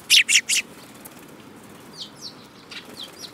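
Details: Sparrows on 10 June 2018: three loud, harsh chirps in rapid succession, followed by softer, thin descending cheeps from other birds nearby.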